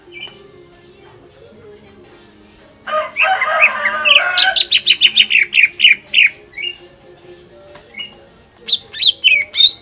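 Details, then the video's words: Greater green leafbird song used to provoke other leafbirds into singing. After near silence comes a harsh buzzy burst, then a fast string of sharp whistled notes, about three per second, pausing and resuming with a final rising flourish. "PANCINGAN CUCAK IJO FULL MATERI HYPER BIKIN IJO LAWAN MUNTAH ISIAN"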